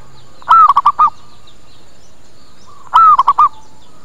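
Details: Local zebra dove lure call used to draw birds in quickly and make them answer: two loud cooing phrases about 2.5 seconds apart, each a long slightly falling coo followed by three short clipped coos, over a faint steady hum.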